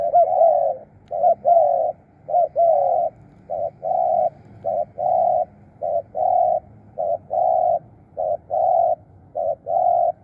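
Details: Decoy spotted dove calling steadily to lure wild birds, with a long run of mellow hooting coos, mostly paired short-long phrases, repeated roughly once per second. The background stays quiet apart from a low murmur.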